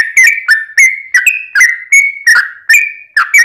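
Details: Yellow-vented bulbul fighting song, used to provoke other bulbuls into answering: bubbly, liquid whistled phrases, each a quick rising-falling cluster of notes repeated roughly every third of a second, with no other sounds.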